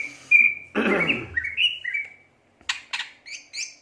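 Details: Greater green leafbird, gacor cucak ijo, gives a long whistle, a noisy rattling burst, rising whistled notes, then sharp clicks and short high double notes.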